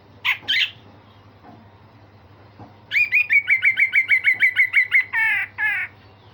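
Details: Grey-cheeked bulbul singing rough besetan kasar phrases and sharp tembakan shots, used to train other songbirds: two harsh opening notes, a pause, then a fast even series of about fifteen clipped notes, ending in two long buzzy, rasping bursts.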